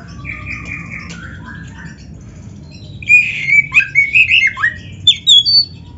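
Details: Oriental magpie-robin, a masteran recording of full gacor song with full isian for training other birds: quiet soft whistles at first, then after three seconds a loud burst of rapid, repeated warbled notes in quick pulses.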